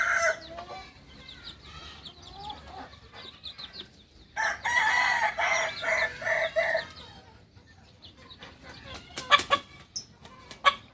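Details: From Solok, West Sumatra: a Kukuak balenggek rooster, a breed kept for its singing, delivers a segmented crow of over two seconds with stuttering, stepped syllables. Earlier faint calling and later sharp clicks and knocks are heard.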